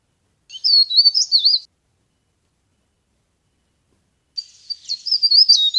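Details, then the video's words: Leaf warbler used as a trapping lure: a short, high, quavering phrase of about one second, a long pause, then another fast twittering burst running to the end. "CIKRAK DAUN GACOR | CIKRAK DAUN PIKAT | SUARA PARE PARE GACOR"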